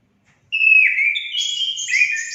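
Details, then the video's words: Orange-headed thrush singing, played to encourage pet birds to sing: a loud whistled phrase of slurred descending notes followed by higher, sustained trilled whistles. "Langsung nyaut gacor anis kembang anda"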